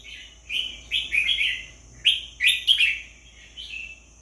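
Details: Red-whiskered bulbul delivering cheerful warbling phrases, three or four quick slurred whistles per burst, separated by short gaps, the final phrase softer and briefer.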